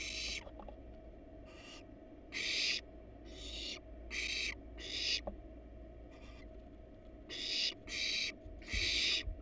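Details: Barn owl family at a wild, research-monitored nest box, adults on the box and nestlings inside; about ten breathy, raspy hisses of varying loudness, growing louder and closer together toward the end, with a low hum throughout.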